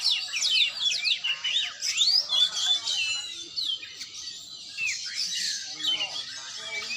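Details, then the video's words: Oriental magpie-robin at a training session, pouring out quick, varied phrases of sliding whistles and sharp chirps, louder at first, then softer, rambling notes continuing to the end. "latihan burung kacer"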